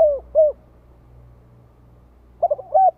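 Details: Spotted dove calling to provoke rivals: the tail of one cooing phrase with two rounded falling coos, a quiet gap, then the opening quick notes and a ringing coo of the next phrase.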